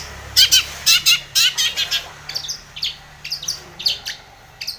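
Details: Long-tailed shrike calling to provoke a rival: a run of harsh, broadband chattering notes high in pitch, quickly repeated about twice a second, then softer scratchy notes mixed with sharp clicks.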